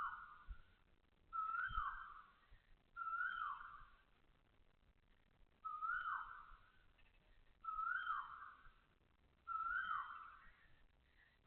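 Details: Asian koel heard at 6:30 am, 20 October 2025, Toa Payoh Lorong 8, Singapore: five loud whistled calls, each rising sharply then dropping, spaced about two seconds apart over a quiet background.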